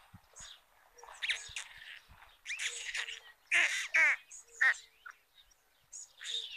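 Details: White storks at a chimney nest in Ságvár, Hungary, near meadows and wetlands, during the first feeding of the day on 22 May 2022, give a run of raspy, wheezing bursts, some with squeaky rising notes, in uneven clusters about a second apart.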